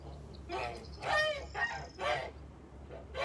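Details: Kholmogory geese on a farm, 29 March 2021: harsh, nasal honks, four spaced through about three seconds, each a broad rasping blast over a low steady background hum.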